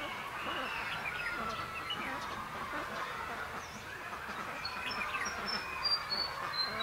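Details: Red-whiskered bulbul at a trap for wild birds, recorded 22 December 2015: busy warbled chirps and short rising notes, with thin high whistles toward the end, over steady outdoor background noise.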